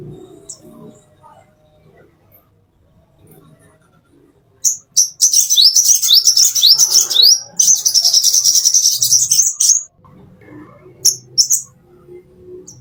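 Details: Master song of a plain-throated sunbird for tutoring caged birds: after quiet low background, a long fast stream of very high thin chirps and zigzag trills for about five seconds, then brief sharp high notes.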